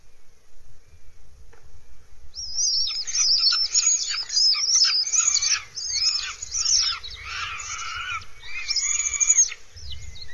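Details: Northern goshawk at its nest in Abernethy Forest, Scotland, 3 July 2022: a dense run of high, thin chittering and squealing notes begins after two seconds and continues in uneven bursts. Faint low rumble sits underneath.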